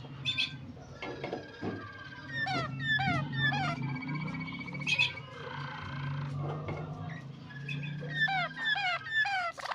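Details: Yellow Waterslager canary singing softly in spaced phrases of falling whistles and brief trills, separated by quieter gaps, over a continuous low hum.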